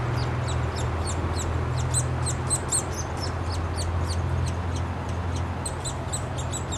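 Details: Young Downy Woodpeckers clamouring to be fed at their nest in Wolfe Park, Columbus, Ohio, late May 2013, while the female and then the male bring food; a fast, uneven stream of shrill squeaky notes over constant low droning.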